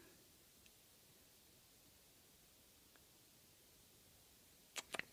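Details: A near-silent room with a few faint ticks, ending in a short burst of sharp clicks.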